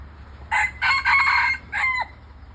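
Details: Clear-voiced crow of a red junglefowl near home: a brief opening note, then a long two-part phrase, a pause, and a closing note dropping sharply in pitch, strong and ringing above faint low background hum.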